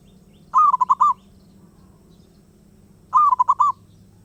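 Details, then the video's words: Wild zebra dove that will not stay quiet: two matching bursts of rapid, rolling coo notes spaced about two and a half seconds apart, low hum underneath. "Burung perkutut Liar gak mau diam"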